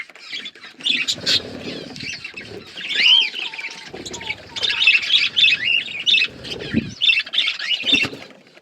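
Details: Budgerigars in a breeding colony with growing chicks, a dense chorus of chirps, warbles and squawky notes from many birds at once, with low thumps and rustles beneath.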